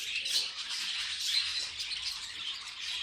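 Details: Pet budgerigars making funny noises: a dense, continuous scratchy warble of high chirps and squawks with no pauses, several birds apparently chattering together.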